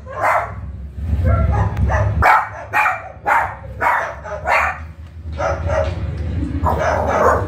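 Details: A pet cockatoo imitates a dog's bark, giving about eight short, hoarse bark-like bursts in uneven succession over a steady low hum, while the owner's dog reacts.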